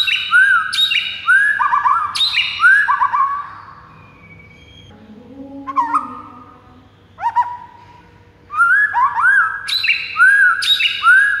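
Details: White-rumped shama song used to stir rival birds into singing: rich, varied phrases of rising whistles and sharp chirps in quick bursts. Phrases are separated by quieter gaps with lower, softer notes.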